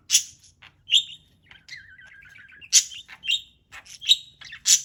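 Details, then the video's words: Parrot at play, alternating loud sharp chirps with a soft wavy warble, calls coming in quick irregular bursts. "Bird Playing with Chirping Sounds"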